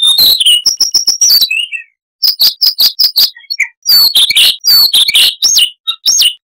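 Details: Siberian rubythroat singing: a fast string of identical high clicks, then a pause, then rhythmic repeated chirps and rising whistled notes woven into a busy chattering phrase.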